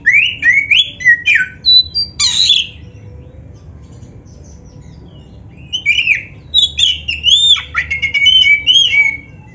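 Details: Oriental magpie-robin of the black-breasted form singing energetically with rich variations: clear downslurred whistles, quick chips and buzzy flourishes in dense phrases, then a pause of about three seconds before another rapid run of notes.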